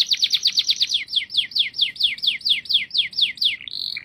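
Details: Singing canary delivering a fast even series of downward-sweeping chirps, about four per second, closing with a short steady tone and a few softer notes.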